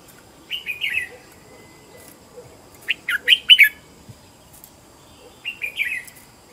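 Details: Decoy red-whiskered bulbul singing to lure wild birds: three separate short phrases of clear, slurred whistles, the middle phrase loudest with rapid rising and falling notes.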